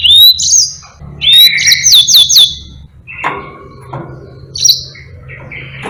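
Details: Yellow-fronted canary delivering a long song meant as a tutor for other birds: a rising whistle, then five evenly repeated high downslurred notes, followed by softer lower chirps and a final bright phrase.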